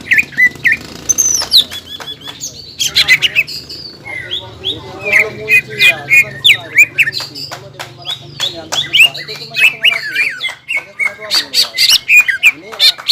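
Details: Greater green leafbird singing energetically, aroused and excited: a varied stream of whistles, chattering notes and sharp clicks at a rapid pace, with a faint low hum.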